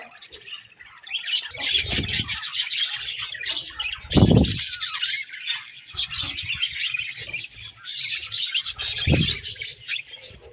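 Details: Budgies keep up a steady high chatter broken by a few louder harsh squawks, with occasional low thumping bursts.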